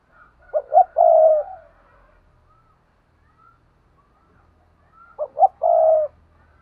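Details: Spotted dove paired cooing repeated twice, about four and a half seconds apart: two short hollow notes, then a long, smooth coo. Faint thin chirps sit in the background.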